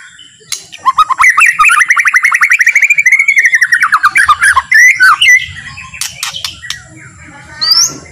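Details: White-rumped shama singing a slow, relaxed song meant to provoke other shamas into singing: a fast run of rapid rising and falling trilled notes for about four seconds, then scattered sharp chirps and a brief high whistle.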